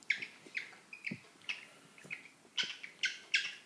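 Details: Pet cockatiel pair calling while mating: quick high chirps and short squeaky notes come in a steady string, about every half second, growing louder and denser toward the end, with soft low thumps beneath.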